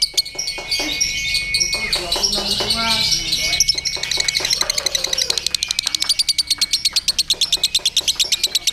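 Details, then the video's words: Lovebird performing ngekek while hung at a singing contest with a handler: long fast rattling trill of sharp repeated notes, accelerating into a steady pulse near the end, with loud human voices and other birds' chatter throughout. "SEMAKIN ENAK NGEKEK NYA LOVEBIRD"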